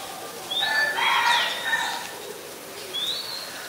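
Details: Oriental magpie-robin in Ubon Ratchathani, Thailand, December 2020: one full warbled phrase of layered whistles and a sharp upslurred note, then a short gap and a single clear rising whistle.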